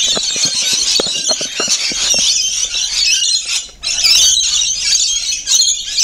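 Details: Feeding rainbow lorikeets keep up a constant high-pitched shrieking chatter, many birds calling at once with a brief lull midway.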